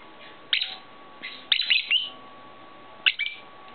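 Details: Lovebirds from a pet shop, including a grey bird with clipped wings; a few high, slurred chirps and squeaks, one rising note, in three short bursts.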